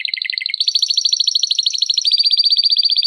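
A domestic canary sings a fast, bright trill of rapid repeated notes, shifting from lower rolling notes into a higher, steady buzzy trill.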